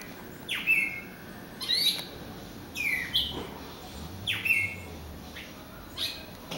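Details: Bird singing at a glass door, apparently at its own reflection; repeated bright chirps and squeaky falling notes about once a second, some higher thin squeaks between, low steady hum behind.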